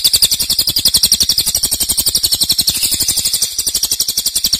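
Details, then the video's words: Loud, long-running cililin song: a rapid, high-pitched pulsing trill that keeps an even, fast rhythm, briefly softening near the middle before resuming at full strength, with faint low thuds beneath. "Cililin nembak keras dan Rafat durasi fanjang"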